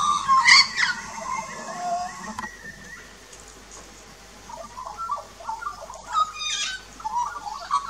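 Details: Adult and juvenile Australian magpies sing at a backyard birdbath in Australia, filmed 2 March 2018 with a Nikon Coolpix P900: a loud bright opening of high whistles, a quiet pause, then renewed low gurgling warble.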